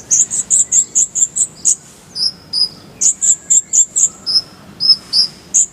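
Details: Clear-voiced Kolibri ninja sunbird in a full-filler tutor song: steady rhythmic bursts of very high, sharp chips about five per second, interrupted by slightly lower whistled slurs.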